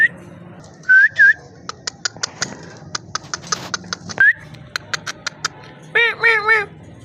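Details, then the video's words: A parrot vocalising indoors: rising whistled notes, a string of sharp clicks and ticks, then a wavering harmonic call near the end. "Amazing parrot talking and voice"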